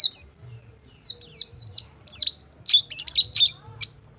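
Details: White-eye song in rol tembak style, a tutor track for silent white-eyes: it starts soft and scattered, then swells into a dense, jumbled chatter of very high twittering and chipping notes.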